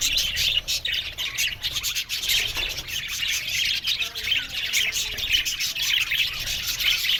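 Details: Budgerigars in an aviary colony, a dense, continuous chatter of high, scratchy warbles and chirps from many birds at once, with no pauses and steady loudness throughout.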